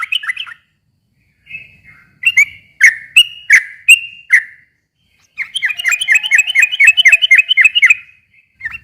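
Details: Yellow-vented bulbul lure song to get silent bulbuls to answer: a few scattered whistles, then spaced loud notes, then a quick rattling burst of rapid whistled notes.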